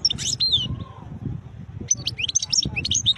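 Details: Khlawi European goldfinch singing beautiful notes: rapid high tinkling twitters and slurred whistled notes, with a brief lower sliding whistle, in a busy, continuous three-second stretch.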